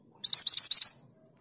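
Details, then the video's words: Calling female mountain mantenan seeking the male: a short burst of high, rising, sharply repeated chirps lasting under a second, with no other sounds. "Mantenan gunung betina memanggil jantan"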